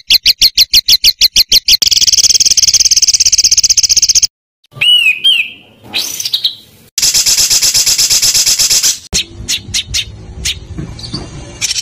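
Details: Varied song of a small bird for masteran training: evenly spaced sharp chips, a fast buzzing trill, looping whistled slurs and a rising sweep, another dense trill, then scattered sharp notes.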